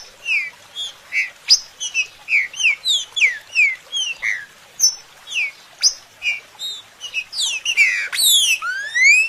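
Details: Green-winged saltator song: a dense run of clear whistled slurs, mostly falling and a few rising, packed closely over several seconds, ending in louder sweeping notes.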